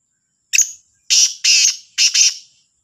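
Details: Black francolin calling in the morning, 18 September 2022: a loud, harsh, grating phrase of one short clipped note followed by three longer rasping notes, the last split in two, with a faint high background hiss.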